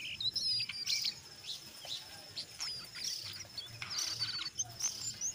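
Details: Brown jongkangan in lively ngeriwik song mixed with ngeplong, played to coax other jongkangan into calling: high, scratchy chirps and short whistled phrases in uneven bursts, with a soft low hum underneath.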